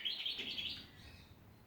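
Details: Backyard songbirds at Ballajura, Western Australia, giving a quick run of high twittering chirps that blur into a brief warble and then fade away.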